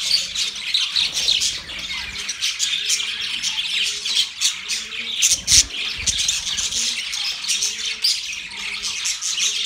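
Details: Budgies chirping and singing in mating context, rapid harsh squawks and twittering chatter layered over a steady repeated low hum pattern and a few louder clicks.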